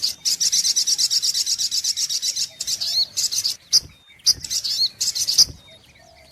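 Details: Sunbird (sogok ontong) lure recording with rapid, high, buzzy repeated notes in bursts, broken by brief pauses, sharp single chips and short thin whistled slurs.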